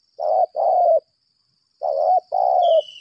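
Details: Captive spotted dove decoy calling in a fighting manner: two paired cooing phrases, each a short coo then a longer one, separated by a brief silence.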